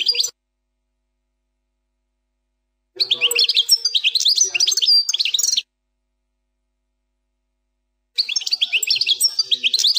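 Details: European goldfinch performing the plak mine style song, fourth section. Dense bursts of bright, quick twittering notes and short trills come in phrases a few seconds long, separated by clean silences.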